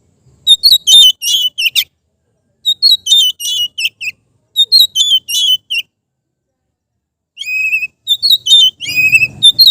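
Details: Relaxed ngeplong song of a kept Oriental magpie-robin, played to train other birds: three rhythmic bursts of dense, ringing whistles, then a phrase of clean level notes and quick slurs, with a faint rumble at the end.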